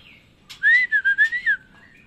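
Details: Black shama phrase of about six clear, whistled notes, each slightly rising then falling, delivered in a quick even run lasting about one second, with quiet low background hum.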